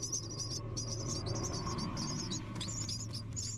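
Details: Three hungry baby birds in the nest, waiting for food, keep up a dense, nearly unbroken chorus of shrill, high-pitched squeaks with brief gaps, above a steady low hum.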